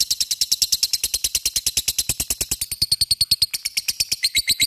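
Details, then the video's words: A lovebird keeps up its ngekek chatter: dense, fast, regular rasping pulses, high and sharp, pouring out without pause, slightly shifting in pitch toward the end. "LOVEBIRD cik cik cerrr,suara brung labet ngetik ngekek gacor"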